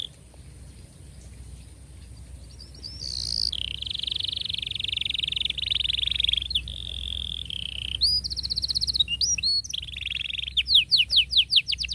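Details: Canary tutor song for young canaries, long gacor style with tight rolls: a soft start, then sustained buzzy high rolls for several seconds, sharp whistled slides, and a closing burst of rapid sweeping chirps.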